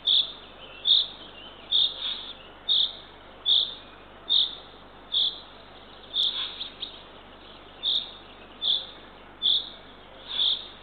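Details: Nest-camera recording from Northern Estonia, 6:21 am, 3 June 2023: the female Eurasian eagle-owl feeds her third owlet, which utters a steady series of about thirteen short, high, hoarse calls, nearly one per second, over faint hiss.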